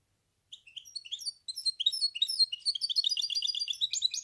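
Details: High twittering song of a goldfinch hybrid, beginning with scattered thin notes and building into a continuous fast jumble of bright chirps and whistles.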